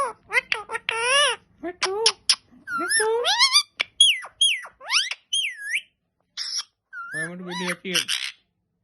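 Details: Green parrot talking: a quick run of speech-like syllables mixed with sweeping whistles that rise and fall, with short gaps between phrases and a lower, rougher phrase near the end.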